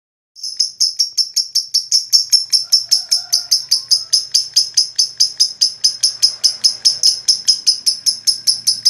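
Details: Lovebird ngekek, a long rattling run of very high, sharp chattering notes repeated about two and a half times per second without pause, played to stimulate other lovebirds to sing.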